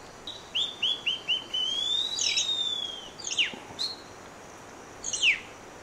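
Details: Rufous piha in Costa Rica, recorded in January or October 2021: four quick rising whistled notes, then a long, loud whistle that swells and fades, followed by sharp downslurred whistles.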